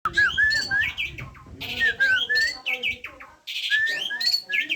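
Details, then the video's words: Asian pied starling (jalak suren) singing a rich, varied song of slurred whistles, rising and falling notes mixed with harsh buzzy bursts and chattering phrases, delivered in rapid uneven bursts. "burung jalak suren"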